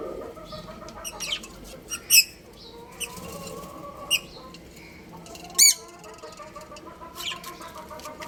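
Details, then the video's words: Budgerigars, a breeding pair kept as pets, giving sharp, squeaky chirps. The bright notes come irregularly, a few seconds apart, with faint warbling and a steady hum in between. "Beautiful Budgies Chirping Sounds"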